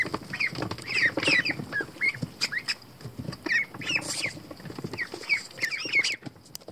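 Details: Featherless young American Pekin ducklings swimming in a water tub peep repeatedly in bright, arched notes, often in pairs, with steady splashing in the background.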